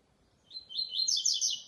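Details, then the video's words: Double-collared seedeater singing during a singing show, a special song: a thin high note opens, then a fast, rising, buzzy warbled trill grows louder, with a quiet, clean background. "Coleira canto especial, SHOW de canto"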